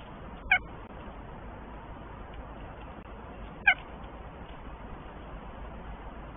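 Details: Northern goshawk pair at the nest in Tartu, Estonia, before the first egg is laid. Two short, clipped, harmonic calls about three seconds apart, with steady background hiss.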